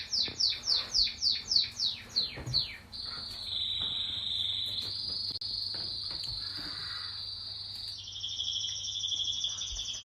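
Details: Pet canary in song: a quick series of about nine descending chirps, then a long sustained rolling trill, switching to a faster, doubled trill near the end; low hum underneath.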